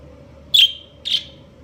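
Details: Two short buzzy chirps about half a second apart from a budgerigar breeding pair.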